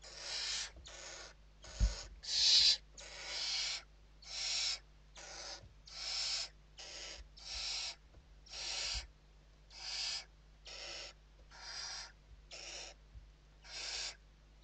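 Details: Western barn owls during evening feeding inside a nest in Spain, 29 November 2023; about fifteen rasping hisses repeated roughly once a second in a steady run, with a faint thump near the start.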